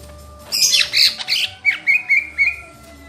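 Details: Lesser green leafbird opening with loud harsh, scratchy bursts, then five short, evenly spaced whistled notes at a steady pitch.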